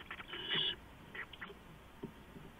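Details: Owls in a nest box on April 6, 2015, at 4:45 in the morning, with three birds inside and two going in and out; one short, harsh, harmonic call early on, then fainter broken notes over steady hiss.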